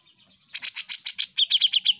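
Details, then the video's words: A Grey-cheeked bulbul sings a fast run of bright, chattering notes, about eight a second, then a quicker burst of clearer, whistled ones. "Cucak Jenggot Gacor"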